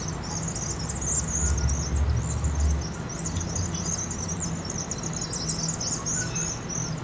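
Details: Migrating Vaux's swifts gathering at night to enter a campus chimney roost in Eugene, Oregon, in fall, sped up 2.5 times; constant high, scratchy twittering from many birds over a low rumbling background.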